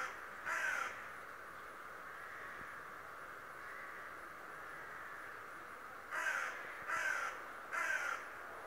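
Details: Raven described as talking calls once, then after a long pause gives three raspy, grating notes in an even series, over constant background noise.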